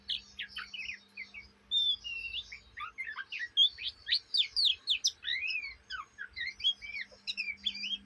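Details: Oriental magpie-robin, a young bird, chattering day and night: a dense, continuous stream of varied squeaky twitters and quick slurred whistles, barely pausing over eight seconds, a low hum behind.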